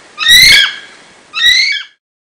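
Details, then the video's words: North Island brown kiwi (Apteryx mantelli) gives two shrill, rising whistles about a second apart, each harsh and rich in overtones, the second a little softer. "NORTH ISLAND BROWN KIWI (Apteryx mantelli) Bird Song"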